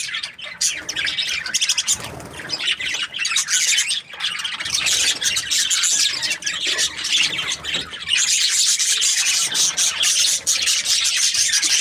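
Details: Budgerigar chirping said to be happy: rapid harsh chattering and squeaks, growing denser and brighter after the eight-second mark, with a brief lower rustle around two seconds.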